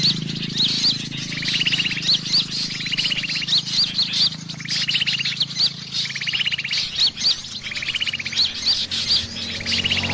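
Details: A sooty-headed bulbul picking a fight makes bright chirps, each with a quick upslurred note. Short buzzy rattles repeat about every one and a half seconds in a steady, insistent series, with a faint low hum behind.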